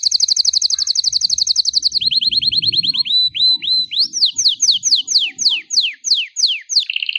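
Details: Belgian canary singing 'campainha' (bell) song to warm up canaries and train young birds: a long rapid trill, a lower trill, whistles, then falling slurred notes and a closing buzzy trill over faint low background noise.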